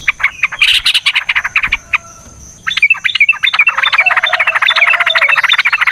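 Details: Yellow-vented bulbul giving a long fighting song to provoke other birds into singing. Dense burbling chatter opens, followed after a short pause by a rapid string of bright, bouncing whistled notes.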